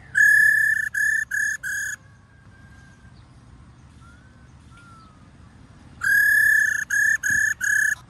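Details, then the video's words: Kept female White-cheeked laughingthrush performing the 'ro' call: a run of four harsh, buzzy bursts, a quiet pause with faint thin whistles, then another series of four rasping bursts. "KHƯỚU MÁI RO QUÁ ĐỈNH Kích Trống Hót Căng Hót Hay"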